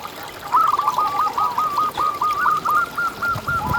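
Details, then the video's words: Zebra dove, local lively singer used as a lure to get other zebra doves singing: a run of soft, rapid cooing notes at a steady mid pitch, rolling into a quick tremolo series, with faint background rustle. "Lokal Gacor Suara Paling ISTIMEWAcUntuk Pancingan Burung Perkutut Agar BunyiTerus"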